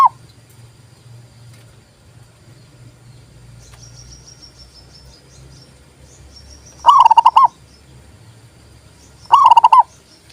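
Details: Two crisp, rolling coo phrases of a zebra dove come late, about two and a half seconds apart, after a quiet stretch with faint high thin calls and background hiss.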